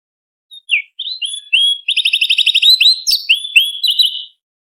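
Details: Sooty-headed bulbul tutor song for training competition songbirds, with sharp, varied fill-in phrases: scattered whistled slurs build into a rapid rattling trill, then a run of rising and falling whistles, with no other sound.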